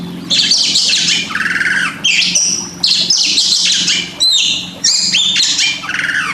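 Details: Oriental magpie-robin master song used to train pet birds that rarely sing: loud, continuous rich whistles and scratchy trills in phrases about two seconds long, over a steady low electrical hum.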